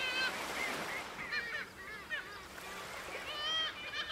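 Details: Kittiwakes at their breeding cliffs, Bempton Cliffs, East Yorkshire: harsh, wavering calls rise and fall over a steady hiss of colony noise, with a few clearer drawn-out cries standing out.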